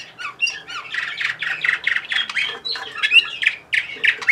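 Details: Bulgarian Orpheus canary from Sofia, 2020, delivering loud fast phrases of sharp chirps, rolling trills and clear upward whistles, repeated in quick succession.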